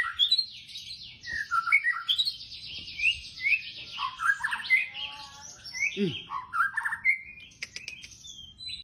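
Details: White-rumped shama song in the 'tembakan' style, meant to get shamas singing quickly: a fast run of varied whistles, sweeping upslurs and downslurs and chattering bursts, loud and continuous, with a faint low sweep midway.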